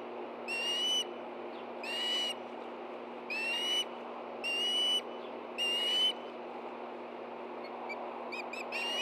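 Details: Morning at a Montana nest, Hellgate Canyon, 24 August 2013, with Ospreys excited by a delivered fish: five drawn-out piercing whistles spaced about a second apart, then faint rapid chirps at the end.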